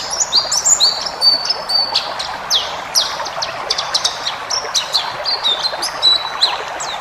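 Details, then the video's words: White-eye in 'ngalas' full-fill style, a training track to make caged birds answer. Steady high twittering of short chirps and thin whistles, some flat, some sliding, with a light hiss behind. "masteran burung pleci ngalas full isian"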